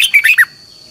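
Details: Red-whiskered bulbul delivering one brief training phrase in the long twisted double-voice style: four fast whistled notes, the later ones curling downward, lasting about half a second, over a faint steady tone.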